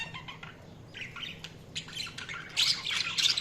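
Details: Quiet, scratchy budgie twittering that swells in the final second into loud, bright, overlapping chirps and squawks from several birds.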